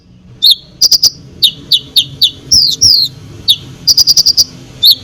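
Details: Konin song intended to excite rival birds: scattered sharp chirps and short trilled bursts, with two longer falling whistled slurs near the middle, over a quiet background.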